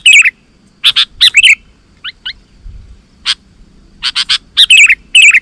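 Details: Sooty-headed bulbul song meant to lure wild bulbuls into answering; scattered sharp chirps and short warbled phrases separated by pauses, with quiet gaps between groups.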